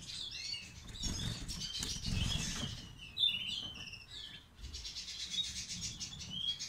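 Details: European goldfinch, a kept bird with ak gerdan song features, delivers twittering, liquid high notes and short trills, broken by wing flutters and rustling noise.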